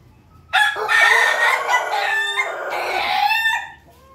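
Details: A crossbred rooster (pelung, ketawa and Bangkok chicken) from Yogyakarta gives one long, rich crow of about three seconds, holding steady through the middle before dropping away at the end; chicken.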